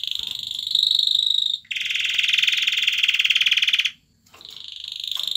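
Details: Male canary singing to a female to stimulate her for mating: long, very fast buzzy rolling trills, held steady for about two seconds each, broken by brief pauses, with a high whistled note near the start.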